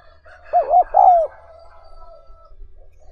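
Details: Spotted dove call used to train newly caught wild doves for luring: one loud, quavering two-note coo that drops at the end, over a low hum and soft, steady background tones.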